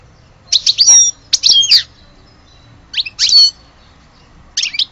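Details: Short bursts of twittering from an Algerian-type European goldfinch: bright, liquid chirps in clusters separated by pauses of about a second.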